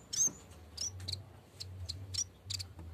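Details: Yellow-bellied warbler calling its rival in full voice: thin, very high, sharp notes repeated roughly every half second, each paired with a crisp click, over a faint low hum.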